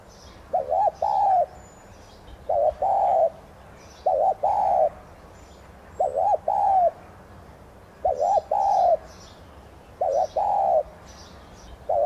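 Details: Spotted dove (tigrina) decoy bird giving the 'thúc gù' call used to stimulate other doves to sing: five short throaty coo phrases, each two or three hooting notes, repeated about every two seconds with quiet gaps.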